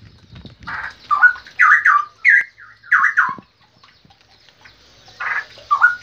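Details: Straw-headed bulbul song: a string of loud, liquid, bubbling warbles, sliding up and down, with a short pause before a couple of softer closing notes.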